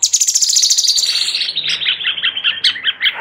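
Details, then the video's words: Sooty-headed bulbul song used as a tutor recording for training magpie-robins: a rapid, high buzzy trill that slides lower into fast, sharp chattering notes, dense and continuous with no other sounds. "Master Cucak Cungkok"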